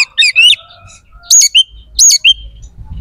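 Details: White-rumped shama song used to trigger aggression and breeding drive in other shamas: three quick bursts of high slurred whistles and chattering notes with a faint low rumble behind.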